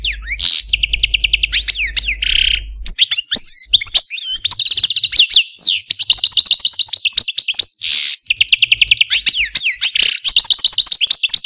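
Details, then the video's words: Pet Algerian Parva goldfinch in a cage, a male known for a "pi-peeeeew" note, pouring out a rapid complex song of fast repeated chattering notes, twittering trills and slurred whistles, almost continuous with brief breaks. "Algerian Parva goldfinch, Chardonneret, Cardelino, Jilguero Stieglitz, Stillits LONG VIDEO (Pipeew)"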